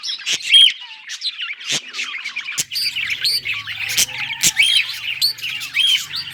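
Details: Budgerigar chatter given as happy singing: dense, rapid warbling and chirping with squeaky rising and falling notes, scattered sharp clicks and ticks, and a faint low hum beneath.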